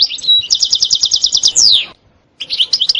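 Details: Goldfinch delivering a fast, evenly pulsed rattling trill followed by a downward slur. After a short silence the twittering resumes. The song is said to contain 'sitsita' and 'bitbita' phrases and to be very stimulating.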